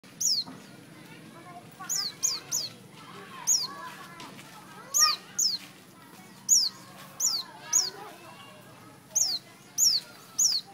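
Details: Everett's white-eye in Thailand giving thin, high, down-slurred notes, singly or in quick pairs, about a dozen in ten seconds, over soft chatter from other birds.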